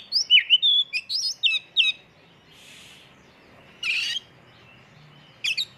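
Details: Kacer (oriental magpie-robin) full isian tembakan lure song. Quick burst of whistled, twisting phrases for about two seconds, followed by faint hiss, one harsh note and a brief final chirp.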